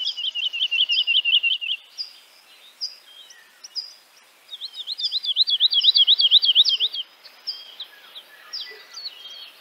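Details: A woodlark in Central Russia sings two liquid, fluty trills of quickly repeated notes, each about two seconds long with a pause between, and scattered high chirps from other birds between phrases.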